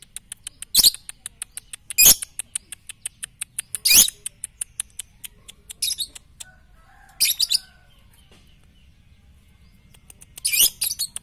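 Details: Lovebird training song for morning, noon and night: loud, harsh, broadband chirp bursts about every two seconds over a fainter, rapid ticking series of short chirps, with a soft tonal phrase near the middle and quiet pauses between.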